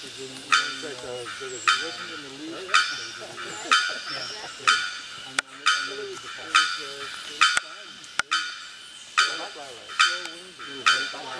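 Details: Bearded bellbird at the Asa Wright Nature Centre in Trinidad, sharp metallic bonk notes repeated roughly once a second, with people talking softly underneath throughout.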